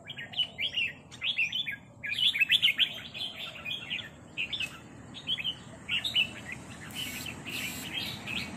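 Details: Rik calls of red-whiskered bulbuls as a newcomer answers a resident territorial bird: quick runs of sharp, bouncy chirps repeated in clusters throughout, with a brief rough noisy burst late on.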